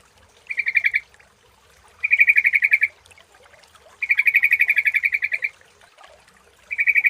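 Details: Sooty-headed bulbul lure sound, clear: three bursts of rapid buzzy chattering notes, each about a second long and separated by short pauses, with a fourth burst starting at the end.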